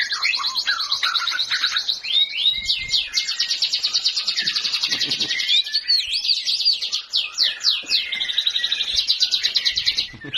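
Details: Magpie-robin in full song: a dense, unbroken stream of rapid warbles, trills and sharp whistled slurs, high and varied throughout, with bright repeated chattering phrases.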